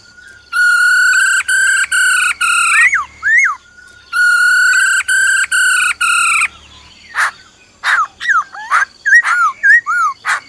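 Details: Black-throated laughingthrush (Pterorhynchus chinensis) singing its wild-type song alongside a female's purring "ro ro" calls: loud, rich whistled phrases in two long bursts, then a run of quick rising and falling slurred notes.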